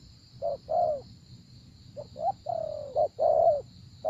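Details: Spotted dove calling during decoy luring of a wary wild dove. Low, hollow coos of varied length: short hoots, a long level drawn-out note and a fuller falling coo, separated by a quiet gap, with a faint steady high hum throughout.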